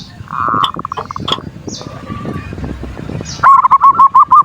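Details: Zebra dove, or perkutut, performing as a lure to provoke a rival: after noisy rustling and a short steady hum, a fast series of about seven clear, bouncing notes closes the recording.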